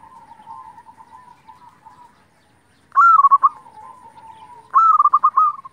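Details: Zebra dove of local stock singing as a lure for other doves: soft low coos at first, then two loud phrases of a high opening coo and a quick stammering series of notes.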